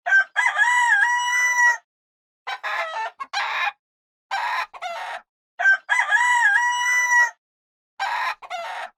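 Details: Rooster crowing twice: each crow a long, loud, harmonic-rich cock-a-doodle-doo lasting over a second. The crows are separated by short, harsh, noisy bursts of other sound and brief silences.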